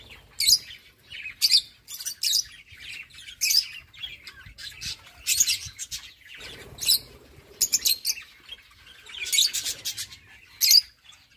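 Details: Lovebirds mating non-stop, producing repeated bursts of shrill, scratchy chirps and squeaks every second or so, each burst short and high, with quiet pauses between them.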